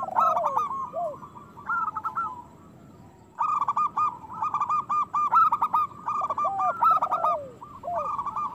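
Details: Local zebra doves in strong song, played to stir other doves to sing: a brief pause, then busy bursts of rapid clipped coos, about 40 a minute, with lower falling slurred notes overlapping.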